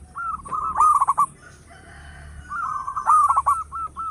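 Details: Local zebra dove giving its loud song for luring birds: two vigorous bursts of fast, trilled cooing with clipped accents, separated by a quiet pause.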